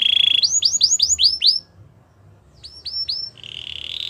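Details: Belgian canary song used for training young canaries: a steady high trill, then a run of fast rising-falling whistled notes repeated about five times a second, a brief pause, more whistled notes and a closing buzzy trill.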